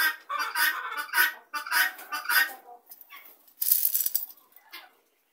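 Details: Helmeted guineafowl gathered together as a flock give harsh, broadband calls in a rapid rhythmic series for about two and a half seconds. A short noisy burst follows, then scattered quieter calls that trail off.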